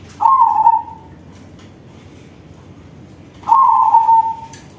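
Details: Song of a crossbred zebra dove with a loud voice: two separate purring coo phrases, each opening with a rapid rolling burst and trailing off into a softer sustained tone, with a long quiet gap between them.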